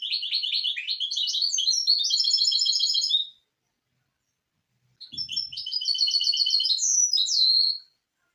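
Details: Two loud trilled phrases from a misto hybrid canary on a training recording for young birds, each a fast, buzzy, high rattle ending in whistled slides, separated by a two-second silence.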